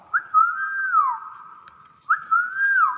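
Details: Common hill myna giving clear whistled phrases: a short rising note, then a long level whistle that bends up and slides down, repeated twice about two seconds apart. People talk nearby before and after.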